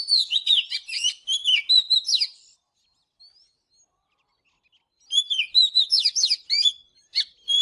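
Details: Oriental magpie-robin singing in the morning: two bursts of rich, varied whistled phrases, quick sweeping notes and chirps, separated by a pause of about two and a half seconds.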